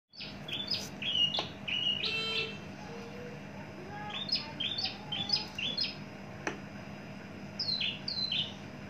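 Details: Caged Javan bush lark, long kept, mature, with a very large body, singing: short high chirps and quick down-slurred whistles in uneven bursts over a steady low hum.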